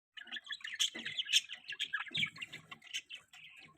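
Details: Pet budgerigars giving a mating call: dense, fast, bright chirps and warbles tumbling over one another with no pause, some louder squeaky notes, and a brief lower rustle near the middle.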